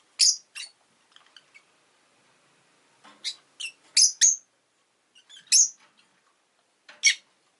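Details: Rosy-faced lovebirds, two new pets newly added to the household, repeatedly calling with piercing high shrieking chirps, often in quick pairs, roughly every second with short quiet gaps.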